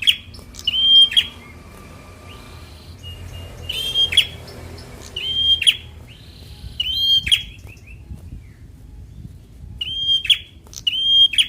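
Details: Bar-winged prinia, young fighter type, singing to rouse idle birds: repeated short level whistles each ending in a dry buzz, delivered in irregular bursts over low background hum and faint bird calls.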